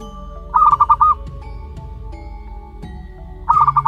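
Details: Month-old local wild zebra dove giving two fast strings of five short mid-pitched notes three seconds apart, backed by sustained musical chords.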